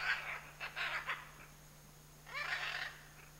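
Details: Scarlet macaw from a pair in the Chiquibul area, uttering a cluster of coarse, raucous squawks followed after a short gap by one longer grating screech, against a low steady hum.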